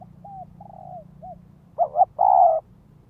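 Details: Spotted dove kept as a ground lure, provoking wild doves: several soft, short downslurred coos lead into a loud phrase of a rapid double coo and a sustained level coo.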